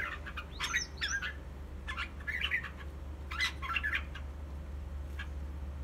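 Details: Red-whiskered bulbul flicking its wings in display, uttering clustered warbled chirps in three or four quick bursts, rich mid-pitched notes over a continuous low droning hum.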